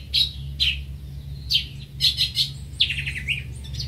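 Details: Greater green leafbird singing separate sharp, bright chirps roughly every half second. They end in a quick descending run of clipped whistles, with a low hum underneath.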